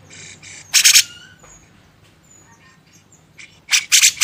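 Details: Training master of grey-cheeked bulbul: two soft rasps, then a loud doubled grating blast, a quiet gap with faint thin whistles, and a closing run of three loud harsh bursts.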